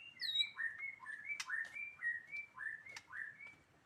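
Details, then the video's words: White-rumped shama of the Medan type singing: a run of short whistled notes, each sliding or rising around mid pitch, repeated about every half second, with a few sharp clicks and a high thin whistle early on, over faint background hiss. "kicau murai medan"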